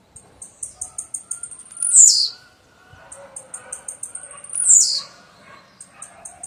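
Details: Blue-black grassquit repeating its short phrase: quick high clicking ticks build into a sharp buzzy note sliding downward, heard twice; a soft background hum.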